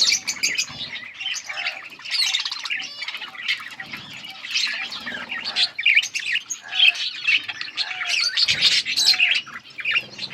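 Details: August 15, 2024 recording of chirping budgies: lively, jumbled twitters, chirps and warbles from many birds, with short louder bursts scattered throughout.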